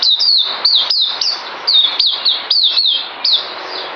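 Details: Songbird in a breeder's care, 9 December 2018, giving short phrases of clear whistles that rise sharply and then glide down, repeated about twice a second.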